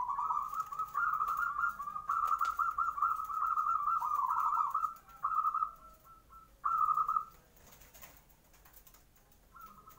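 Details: Zebra dove song played in the morning as a lure to make other birds answer. A steady, rolling, trilled coo holds one level for about five seconds, then shorter bursts follow with pauses between them.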